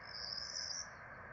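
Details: Begging from four Peregrine falcon nestlings being fed in Rome, 12 April 2024: one short, high, continuous hissing wheeze of under a second, with steady low background noise.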